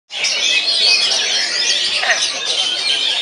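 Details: Oriental magpie-robin at a singing competition in Banten: dense, unbroken rush of high whistled and chattering song phrases, several voices overlapping throughout, with faint human voices underneath.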